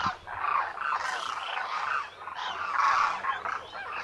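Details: Migrant Demoiselle Cranes (Koonj) gathered in thousands for winter at a lake near Khichan village, Rajasthan, India; overlapping throaty, rattling trumpets from many birds, with a brief lull near two seconds before the chorus returns.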